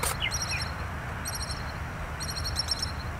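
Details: Pied kingfisher on Kinmen, where the species lives year-round by water, producing short clusters of piercing high chittering notes in three bursts, with a couple of lower sliding whistles at the start and steady low background noise.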